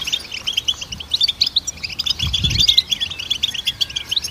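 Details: Goldfinch melody meant to train songbirds: bright, tinkling chirps tumble quickly into a jangling twitter, with a short slurred whistle near the end and a faint low thump midway.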